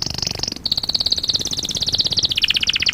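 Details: Canary singing for a lesson meant to train young canaries: a long, fast, high trill of even pulsed notes, about four per second in groups, dropping slightly in pitch near the end.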